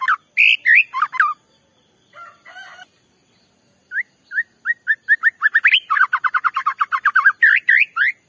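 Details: White-rumped shama song meant to make another shama sing: loud slurred phrases, a short pause, then rising whistled notes repeated faster and faster into a dense chattering run ending in full, varied phrases.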